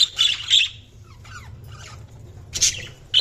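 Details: Budgerigar chirps: a loud scratchy burst opening, softer warbled notes in the middle, then sharp chirps returning near the end.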